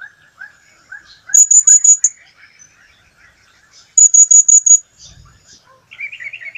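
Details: ['Blue-crowned hanging parrot recorded in 2015, delivering two rapid runs of five sharp, high, evenly spaced squeaks. The runs are separated by a couple of seconds of quieter, lower bird chatter, and a low thump is heard near the end.']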